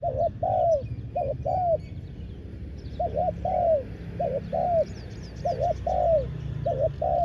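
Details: Spotted dove used as a ground decoy to call in wild doves, giving low mellow coos: a short doubled note followed by a longer falling croo, repeated in about six phrases, with faint chirps from other birds behind.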